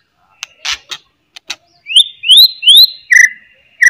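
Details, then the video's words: Loud white-rumped shama song intended to make other shamas answer: clicking chatter notes, then a series of rising whistled slurs and a lower whistled ending. "CETREKAN,& OCEHAN MURAI GACOR., MEMANCING BUNYI, MURAI BATU LAIN NYA,"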